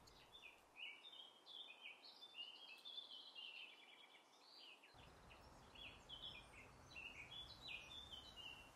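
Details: Green woodpecker nestlings in a city nest in Brussels, spring 2020, begging impatiently for food from their parents; six young later fledged. A dense, busy chatter of short, high chirps and overlapping buzzy notes, with a faint outdoor hiss behind.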